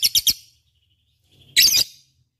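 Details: Lovebird singing in 'gacor' style, used for prompting other birds: three quick, sharp, high chirps, a short pause, then a denser, harsher burst of chatter.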